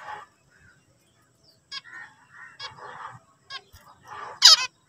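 Zebra finch song: short nasal, honking notes and buzzy stacked phrases, ending in a harsh burst.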